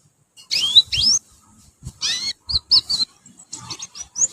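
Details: Young canaries learning to sing, kept in a group: short sweeping high chirps and rising whistled notes in separate bursts with brief gaps between.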